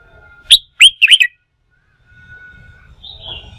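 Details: Red-whiskered bulbul, wild-caught and stirred up for fighting-song training, gives a quick run of four loud, clipped chirps in the first second, followed by a thin steady whistle-like tone and a faint high note.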